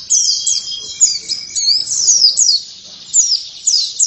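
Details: An oriental white-eye bursts into lively song: a fast jumble of very high, sharply slurred chirps and trills, with a faint steady whistle tone underneath and low murmuring noise in the background.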